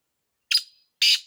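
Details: Black francolin giving two short, loud, harsh rasping notes half a second apart, with nothing else audible.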